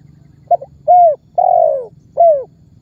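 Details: Spotted dove (tekukur) lure call used by bird trappers to draw other birds into calling: four low cooing notes, a short double coo then three longer arched coos, over a faint low hum.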